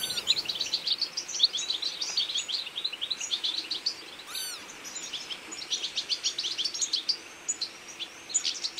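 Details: Feeding flock of European goldfinches in autumn, chattering continuously with high, tinkling twitters; a couple of loud, sharp descending notes stand out near the start and around four seconds.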